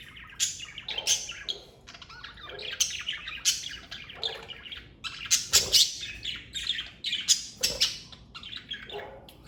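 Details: Budgerigars, a pet parakeet family, chirping: a busy mix of overlapping scratchy chatter, squeaks and short warbled notes from several birds, rising and falling in loudness throughout.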